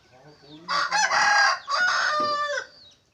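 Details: Large decoy red junglefowl, said to crow well and very loudly, recorded 27 October 2020: one harsh, two-part crow of about two seconds with a brief dip in the middle, preceded by soft low clucks.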